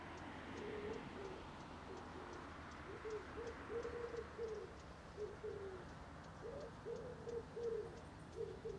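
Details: Common wood pigeon (Columba palumbus) at Žale cemetery, Ljubljana, Slovenia, on 7 August 2023: deep, soft, hoarse coos in short rhythmic phrases of several notes, with a steady low background hum and faint ticking.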